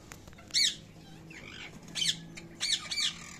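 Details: Baby parrot calling naturally: harsh, raspy high squawks, one loud burst near the start then a pair and a triple of scratchy calls later, over a soft background hum.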